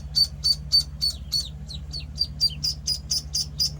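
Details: Penciled Call ducklings at one week old call in quick, high, piping peeps, several notes bending downward, repeated about three or four times a second over a faint steady hum.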